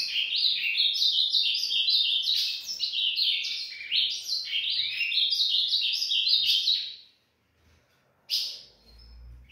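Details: Dawn song of an Ultramarine grosbeak, a rapid tumbling stream of high, sweet warbles and chirps lasting about seven seconds, then a short silence and one brief closing note. Faint low rumble near the end.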